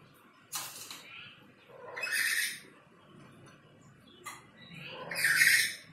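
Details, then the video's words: Black-capped lory behind a window giving loud, rasping squawks, three harsh bursts spaced about one and a half seconds apart, with short sharp clicks between them and a quiet background. "BERKICAU DIBALIK JENDELA, BURUNG NURI KEPALA HITAM MERAH MAUNYA BERKICAU TERUS"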